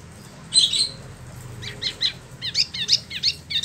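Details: Rolling 'ngeroll' song of a caged Spot-throated Babbler in Bandung, Indonesia: a few clear whistles over a noisy background, then a quick chain of short high notes.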